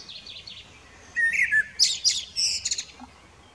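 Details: A common blackbird sings on a spring evening, 11 May 2018, perched on a house roof and an old telephone pole. It gives one phrase: a few low fluted notes, then a rush of high, squeaky twittering, within about two seconds, in quiet surroundings.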